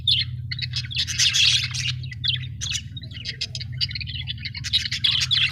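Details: Cheerful budgie chirping: bursts of scratchy, warbled chatter broken by brief pauses, with short clicky notes between them and a constant low hum behind.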